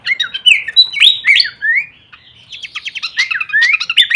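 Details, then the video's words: Horsfield's babbler song used as masteran training audio for songbirds, full kleperan variation: slurred whistled notes rising and falling, then after a brief pause a fast run of sharp chirps and upward whistles. "masteran andalan khas burung pelanduk semak suara full variasi kleperan."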